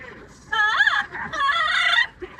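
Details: Pet yellow-naped amazon parrot singing opera and making noise during a commute: two loud, harmonic, wavering vocal phrases with a brief dip between them, ending in a short squawk.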